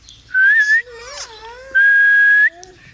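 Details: Indian ringneck parakeet at home whistling two long level notes, each ending in a slight upward lift, with a lower wavering whistle and faint chatter between them.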